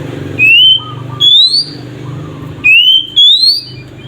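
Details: Oriental magpie-robin singing in the whistling nyiul style, used to provoke untrained magpie-robins into singing. Two pairs of clear, loud whistles, each note sliding upward, with a soft low hum beneath.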